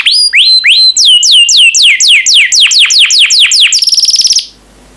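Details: Singing yellow canary, a kept cage bird, delivering a run of descending whistled slurs repeated several times a second, speeding into a high ringing trill before stopping abruptly.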